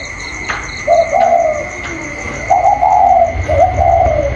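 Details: Caged 'cu còi' spotted dove answering a wild challenger outside, 27 October 2022; paired mellow coos, a short note then a longer gently falling one, repeated twice, with a faint continuous high whine and clicks.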